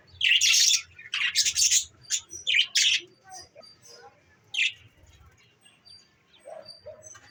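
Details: Pet budgies recorded on December 14, 2023: loud scratchy chirps rush out in quick bursts at first, then thin to scattered high tweets and soft lower squeaks.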